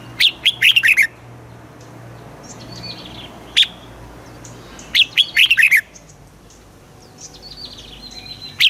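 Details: Red-whiskered Bulbul in a cage in Thailand, southern master-style phrasing for rousing birds and teaching young: three fast warbling phrases and a single sharp note, spread over about nine seconds, with faint distant chirps.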